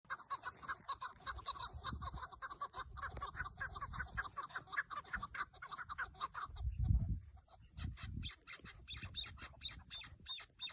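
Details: Partridge calls recorded during a decoy partridge hunt on 30 March 2024 in Turkey: a dense run of rapid, repeated clucking notes, with low thumps and handling noise toward the end.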